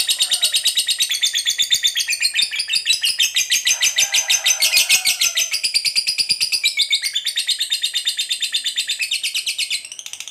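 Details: Lovebird 'ngekek panjang', long trilling song of a fighter lovebird used as a lure to set other lovebirds singing: a continuous high, rattling chatter of very rapid pulses held for about ten seconds, fading slightly at the close.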